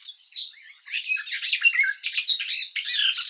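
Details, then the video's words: A garden warbler's rich, hurried warble: a soft opening note, then dense, continuous gurgling phrases of rolling, slurred notes. "Как поёт Славка садовая Sylvia borin"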